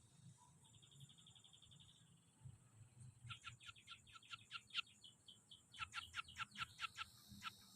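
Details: Scaly-breasted munia singing with weaver-mimicry material: a thin high held whistle, then rapid runs of sharp ticking, rattling notes, over low hum and murmuring background.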